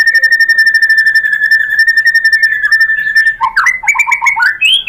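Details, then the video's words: Lure song of a White-rumped shama (murai batu), meant to make another bird sing: one long steady whistle held for over three seconds, then a burst of quick, rising, chattering notes. "PANCINGAN AMPUH ‼️ MURAI BATU JADI NYAUT GACOR BONGKAR MATERI ISIAN ¦ PANCINGAN MURAI ¦ SHAMA BIRD"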